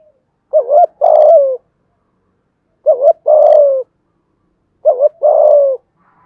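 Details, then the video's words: Spotted dove giving thúc gù cooing in an earthy-toned voice: three phrases about two seconds apart, each a quick double note followed by a long, throaty coo that slides downward. Quiet background. "cu gáy thúc gù giọng thổ cực đỉnh giọng hạp bổi"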